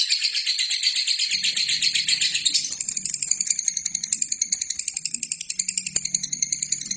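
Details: Lovebird chattering continuously in a training recording for other birds: a loud, grating high trill that softens after two and a half seconds into thinner, evenly pulsed ringing notes, with a low faint hum underneath.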